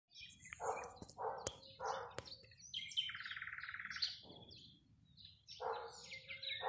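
A common starling sings a rambling medley of sharp clicks, high thin whistles and a buzzy, rattling phrase, the pieces jumbled together at a quick pace.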